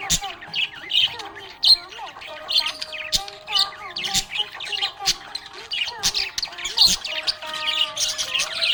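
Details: Pet budgerigar chirping happily: lively, irregular bursts of high squeaky chirps and warbled twitters, with faint sustained tones behind.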